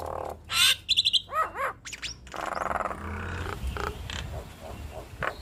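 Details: Nias hill myna duet with a harsh burst, clipped chattering notes and a pair of arching whistled calls, followed by softer buzzy sounds over a low background rumble.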